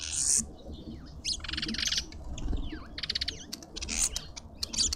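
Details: Mousebird at a busy bird feeder in a suburban garden in Pretoria, South Africa, gives harsh, buzzy chattering bursts in quick runs, while thin whistles and chirps from other birds mix in the background.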